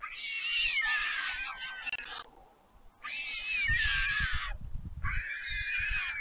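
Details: White stork siblings, back after fledging, beg for food from the parent on the nest at Leemansmolen, Vriezenveen, Netherlands, 11 July 2022. Three loud, harsh, sustained wailing bursts of about two seconds each, separated by short gaps, with low rumbling.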